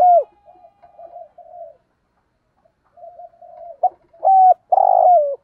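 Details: Caged lure spotted dove calling to provoke wild doves: soft, quiet murmured notes, then a sharp hooked coo followed by a long, sustained low coo ending in a downward slide.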